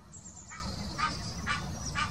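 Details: Egyptian goose giving its mating call in the Wittlich Depression, Germany, 2018: three short hoarse honks spaced about half a second apart against rumbling background noise.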